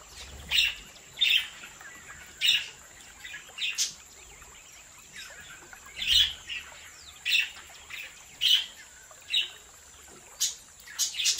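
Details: Budgerigars bred in captivity in an aviary. Short, high chirps repeat roughly every second in a loose, uneven rhythm, with quiet gaps between calls and a constant faint hiss behind them.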